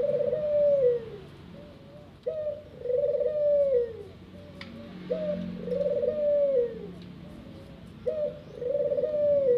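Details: Aviary-kept ringneck dove giving a regular series of coos, each a short sharp lead-in note followed by a trilling, arched, descending purr, four phrases roughly every three seconds with soft low droning behind.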